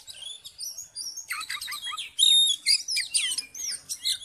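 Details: Oriental magpie-robin male in full fighting mode, provoking other males; bright high whistled notes and slurs, then a dense run of rapid chirps and rising whistles, loud and varied.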